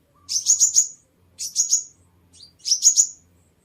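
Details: Sunbird lure song: three clusters of three or four rapid, piercing high notes sliding slightly downward, spaced about a second apart, with a brief faint rising note between.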